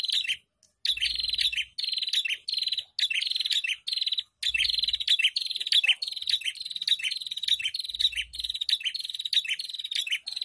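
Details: Prinias in a chorus of many birds (ombyokan), played to train caged prinias: dense, high, rapid chirping trills in bursts of about one second, separated by short gaps, with occasional low thumps.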